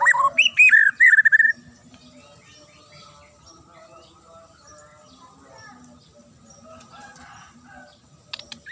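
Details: Magpie-robin giving a sharp song meant to provoke other birds into answering and turning aggressive: about 1.5 seconds of loud, rapid whistled and chirped notes rising and falling, then only faint background twittering and a brief burst at the end.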